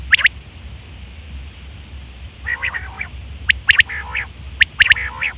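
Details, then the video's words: Female quail (batair) sounds for trapping: loud double chirp, a pause, then harsh nasal buzzy calls alternating with sharp snapping notes roughly once a second, over low hum. "batair ki awaz 2025 | female quail sounds"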